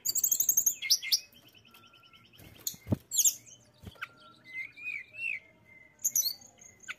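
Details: Mountain tailorbird song for stimulating opponent birds: fast trilled high notes, a few loud clicks and thumps, then thin wavering whistles and scattered sharp high chips.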